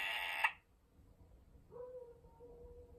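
An Amazon parrot gives a loud, harsh, buzzy screech lasting half a second, then after a pause a steady, low, flat whistle held for over a second.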